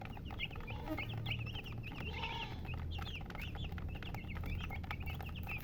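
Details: Several baby chicks chirping at once, rapid high peeps tumbling over each other, one brief lower clucking sound near two seconds, constant low hum underneath.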